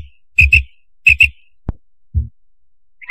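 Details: Quail calling at night, two pairs of sharp whistled notes spaced roughly two-thirds of a second apart, followed by a lone click, a low muffled knock and a faint final note.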